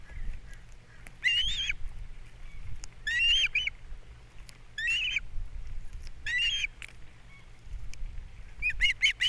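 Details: Osprey pair at their Captiva nest, April 2022, male bringing fish and female feeding chicks; short bursts of shrill, quavering chirps recur roughly every two to three seconds.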